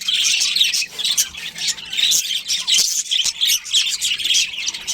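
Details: Budgie colony including a breeding pair, loud pulses of harsh squawks and warbling chirps coming in bursts roughly every half second, with slight dips between them.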